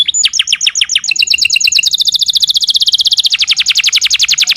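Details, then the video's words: Master song of a canary for prompting caged canaries to reply: quick paired chirps flowing into a long, fast, even trill of high descending notes that slowly lowers in pitch. "Suara masteran burung kenari"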